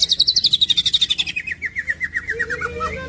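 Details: Green leafbird song: a fast trill of about four notes per second that steps steadily down in pitch, shifting into lower, softer slurred notes at the end.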